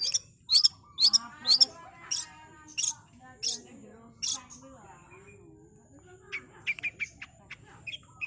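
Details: Long-tailed shrike singing in a fast 'super speed' style: a run of sharp, very high chirps about twice per second, mixed with lower warbling, wavering notes, then scattered thin high notes toward the end.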